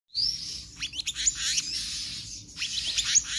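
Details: Oriental magpie-robin in full, varied song: a long whistled opening note followed by rapid sweeping, slurred phrases, with steady background hum.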